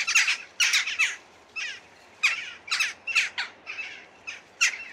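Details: Western jackdaw on 17 December, in Sweden, gives a quick run of harsh, squawky 'chak' calls, about two a second, some in close pairs, with nothing else heard.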